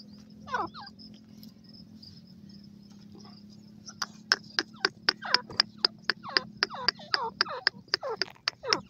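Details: Partridge call series: after a quiet start with one faint note, sharp clipped notes begin and repeat steadily about four times per second for five seconds over a low background hum.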